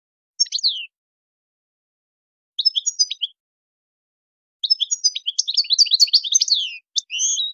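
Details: Goldfinch song in the tadmait style, meant to teach young birds an error-free song: a few isolated twittering notes, then a long rapid cascade of bright tinkling and buzzy phrases ending in short whistles.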